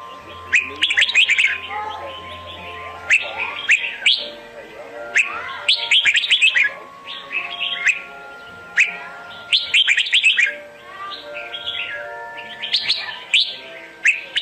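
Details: Red-whiskered bulbul singing in contest style, used as decoy audio for trapping: repeated bursts of lively warbled, slurred whistles every one to two seconds, with a faint steady tone behind.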